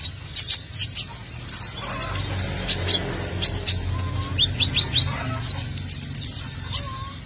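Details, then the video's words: Sunbird song played as a lure for birds, a busy stream of high, thin chirps and quick upslurred whistles given in rapid irregular bursts, with occasional lower whistled notes and a steady low hum behind. "Kolibri ninja || konin gacor abis bikin pancingan"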